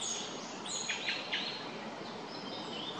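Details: Japanese thrush, recorded in May 2022 in the field with the bird unseen, giving three quick, clear whistled notes about a quarter-second apart over steady hissing background noise and faint high, thin calls.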